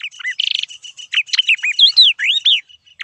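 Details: Yellow-eyed babblers at Silvassa, Dadra and Nagar Haveli, India: a rapid jumble of sharp chirps, slurred whistles and a short buzzy trill, notes rising and falling in quick succession with no other sounds.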